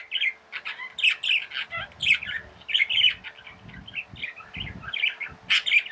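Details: Chattering tame budgies pour out quick clicky chirps and whistled squeaks in an unbroken warble, a sharp high squeak near the end, with occasional dull thuds and a faint steady hum.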